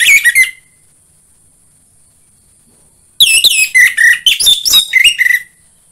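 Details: Orange-headed thrush kept at home, with song used as a lure to get birds singing: a short chattering whistle, quiet gap, then a dense two-second burst of varied warbled, squeaky and whistled notes.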